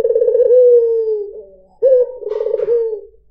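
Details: White dove (puter putih) giving its melodious lure song: one long, gently falling coo, then a new phrase with a clipped start, a throbbing roll and a held note. A faint brief click is heard partway through.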